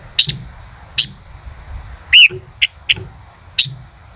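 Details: Male common rosefinch singing: a few sharp high chipping notes spaced under a second apart, then short whistled upslurred notes and clipped chirps, against light background noise.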